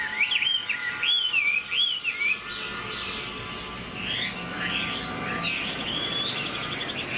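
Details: A caged Chinese Hwamei in new plumage sings with tail fanned and flicked: three rich, rising-and-falling whistles open, followed by a softer jumble of quick varied notes.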